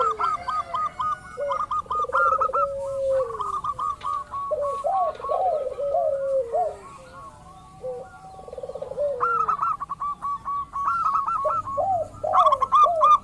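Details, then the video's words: Local zebra dove calling as a lure for other doves: long bouts of quick stuttering high coos, about three and a half per second, mixed with lower swooping slurred coos from a second dove, brief pauses between bouts. "pancingan burung perkutut lokal ampuh , perkutut lokal jago memancing lawan bunyi"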